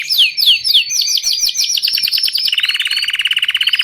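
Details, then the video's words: A copper Belgian canary singing a rush of high, sweeping downslurred notes, then breaking into a fast, even rolling trill. "Canário belga cobre professor cantando/Belgian canary covers teacher singing"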